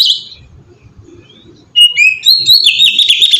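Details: Lure song of an oriental magpie-robin in ngeplong style: a short high note, near-silence with faint low rumble, then a sudden loud outburst of fast, tumbling whistled phrases.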